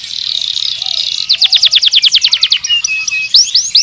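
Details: Canary song opening with a dense buzzy warble, then a quick run of descending sweeps about six per second, a short low whistled phrase and rising chirps at the close.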